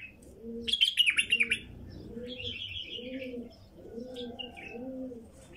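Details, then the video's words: Wild female bulbul singing a burst of quick, bright chattering notes early on, then a buzzy warbled phrase; a dove coos steadily underneath in paired low notes throughout. "تغريد بلبل نثيه وحشي"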